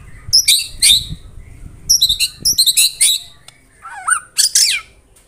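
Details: White-rumped shama (murai batu) in the 'tembakan rapat' style: short bursts of bright, high, chattering notes separated by pauses, plus one lower, looping whistled phrase near the end.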